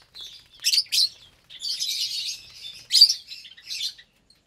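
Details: A caged group of about 25 lovebirds at feeding time, parblue, euwing, opaline, lutino and albino, some raising chicks: sharp squeaky chirps and a longer rasping chatter, with loud shrill notes near the end.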